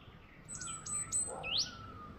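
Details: A wild bird singing on Eid morning in Bhurban, Murree, Pakistan: a few thin high whistles, then a quick sharply rising sweep, over a steady faint hum.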